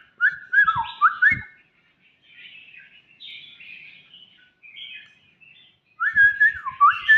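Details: Young white-rumped shama singing: loud, clear whistled phrases of stepped, falling and rising notes open and close the passage, with softer, higher warbled phrases between them and a few low thumps.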